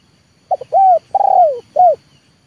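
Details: Trained lure spotted dove, 'leopard' type, giving one full phrase meant to bring wild doves down. It opens with a quick double note, then an arched coo, a long trilled coo sagging downward, and a short final coo.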